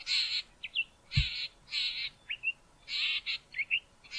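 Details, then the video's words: Harsh rasping bursts from a male Southern fiscal near Grahamstown, interspersed with brief whistled upslurred notes, several blocks repeated at about one-second spacing. "Southern Fiscal singing"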